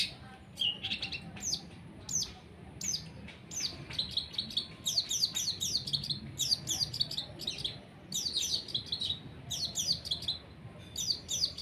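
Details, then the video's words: Long-tailed shrike (cendet) being sunned, singing a busy, varied stream of scratchy, downslurred high notes in dense bursts, with short breaks between phrases. "JEMUR CENDET SEMBUR PASTOL"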